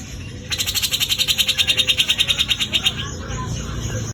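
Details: Besetan kasar song of a Javan grey-cheeked bulbul: a long, rough, machine-gun trill of around twenty-five fast buzzy pulses lasting over two seconds, then quiet background hiss.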